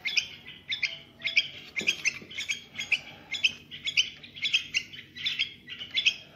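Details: Young bulbul singing, played to stimulate bulbuls into activity: a steady series of short chirpy notes between about 2 and 6k, roughly two phrases per second, with low background hum.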